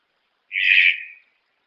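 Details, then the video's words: Red-breasted toucan giving one rough, grating croak, loud at first and fading into a thinner tail, on an otherwise silent background. "Canto do tucano-de-bico-verde"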